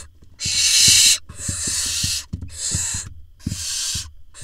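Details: Barn owl nestlings in a nest box in Israel on 18 June 2021, as the father drops a vole that one nestling swallows. Four harsh, broad hissing screeches of about half a second to a second each, with soft low knocks and taps between them.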